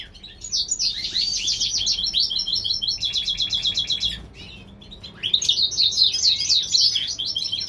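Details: Springtime song of a European goldfinch hybrid bred in California: a dense jangling twitter, then a fast mechanical-sounding trill, a brief quiet gap, and a final energetic burst of tinkling notes.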